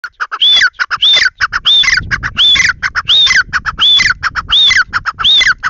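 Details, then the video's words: Grey francolin (teetar) calling: loud, harsh repeated phrases, each a rising-then-falling whistled note mixed with rapid clicking notes, about eight phrases in under six seconds, with a steady rhythm. "Teetar ki awaaz Teetar boli Teetar sound"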